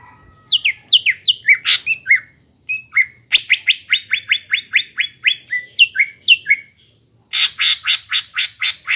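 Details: Greater green leafbird song for training young birds: varied falling whistles and sharp notes, a long steady run of downslurred chips, then a burst of buzzy harsh notes at the end.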